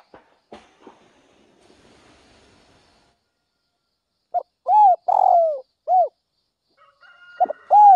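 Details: Spotted dove calling in the early morning: a few faint clicks, then a run of loud, low hollow coos in quick succession after a silent pause, with another coo near the end and a thin tone behind it.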